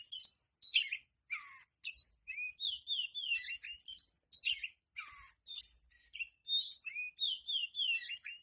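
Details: Tail-opening therapy recording of oriental magpie-robin song: rapid, varied whistles, downslurred notes and sharp scratchy chirps, repeated in lively bursts almost without pause, bright and high-pitched throughout.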